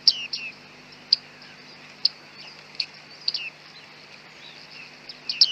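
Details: Bearded reedling calls in thick fog, captured with a Panasonic G9 and 100-400 lens: sparse, clear ping notes with short downward slurs, spaced about a second apart, against quiet background with faint low hum.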